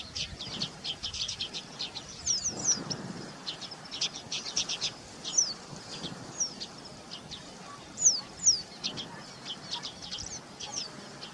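A White-browed meadowlark gives dry, rapid clicking notes mixed with high, thin downslurred whistles, with bursts of low rumbling wind.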